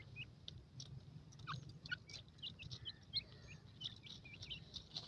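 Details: Young grey francolins, the teetar, calling with short, high chirps and tiny whistled notes scattered through the clip, over a low background hum and faint tapping.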